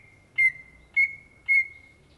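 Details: Three sharp whistled notes from a greater green leafbird (Chloropsis sonnerati), the Indonesian cucak ijo, come about half a second apart. A sustained level tone hangs between them over a quiet, faintly noisy background.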